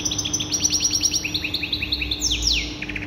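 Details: Canary song: rapid, evenly repeated high chirping notes forming trills, then a long sweeping note gliding downward, followed by more quick chips. A steady low hum and background noise run underneath.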